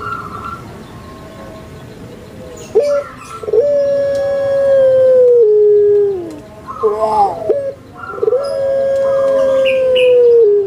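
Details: Barbary dove, Indonesian puter pelung, a bird kept for its voice. Quiet gurgles are followed by a bubbling run of notes, then a long, powerful level coo that drops at its close. The sequence restarts after a wobbling, rolling phrase.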